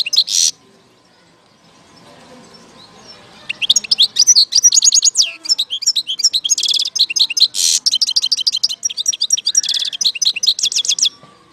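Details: European goldfinch from Algeria, 2019, singing a long, rapid, rambling string of high twittering notes mixed with buzzy rattling trills, after an opening burst and a short silence.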